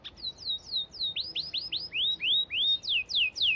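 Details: Canary singing a steady series of loud slurred notes, each sweep falling and then rising, repeated about four times a second with a clear tone. The recording is meant as clean, long-running song for training canaries.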